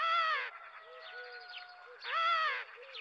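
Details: European greenfinch song: two drawn-out, nasal, wheezy notes about one and a half seconds apart, with soft twittering and faint thin notes between them.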